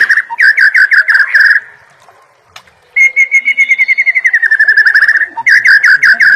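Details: White-rumped shama song from a training recording for cage birds: long runs of rapid, loud whistled notes repeated several times a second, broken by a short pause, then a smoother descending series of clipped whistles before the fast notes return.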